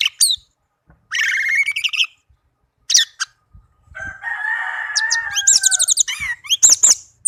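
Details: A tame caged orange-headed thrush pours out a varied melodious song of buzzy rising phrases, sharp chirps and one longer steady whistled note, with rapid high trills near the end.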